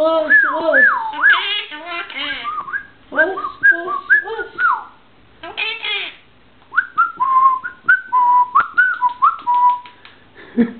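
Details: Gogo, a pet cockatoo dancing to music, whistles bending, wavering tones and short rising and falling phrases in quick bursts, mixed with speech-like chatter, while human voices and music are heard in the room.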